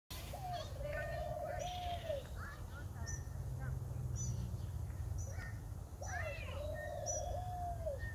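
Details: A grey diamond dove gives two long, low, level coos about four seconds apart over a steady low rumble, with faint high chirps from other small birds.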